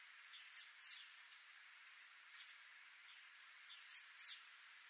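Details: Great tit (Parus major) singing paired high whistled notes, a two-note phrase, then a pause of about three seconds before the same pair repeats.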